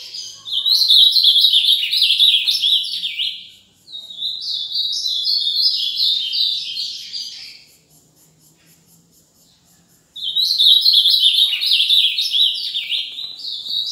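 An ultramarine grosbeak sings three quick, bright, warbled phrases of about three seconds each, with a short silent pause before the last one.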